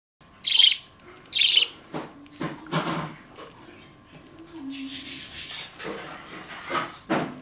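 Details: A baby budgerigar, kicked out of the nest box early, gives harsh, raspy begging squawks in short bursts while being hand-fed.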